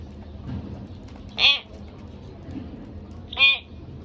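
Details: Pet budgerigar pair: two clear, buzzy harmonic squawks about two seconds apart over a quiet, low-humming background.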